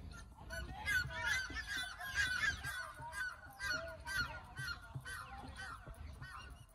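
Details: One of two red-naped ibises perched atop a dead tree in Lodi Gardens, Delhi, giving loud, harsh, honking squawks in quick irregular bursts, about two per second, over low background rumble; recorded on an iPhone.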